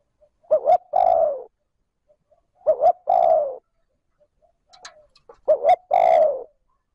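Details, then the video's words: A decoy spotted dove gives trơn ròng cooing meant to provoke wild doves. Three phrases, each a quick double hoot and then a drawn-out descending coo. Soft faint notes sit between the phrases. "Tiếng cu gáy trơn ròng thúc gù gáy kích bổi nhanh nổi / Cu gáy gọi trơn ròng"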